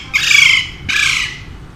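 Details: Harsh, buzzy double screech from a pet male Alexandrine parakeet living with people: a long loud squawk followed almost at once by a second, slightly weaker one fading out.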